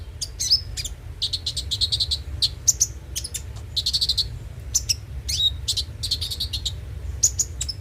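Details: Konin (kolibri ninja) song used as a lure to get a caged bird singing daily: rapid high thin chirps and sharp trills in dense bursts, with brief pauses between phrases and a steady low hum underneath.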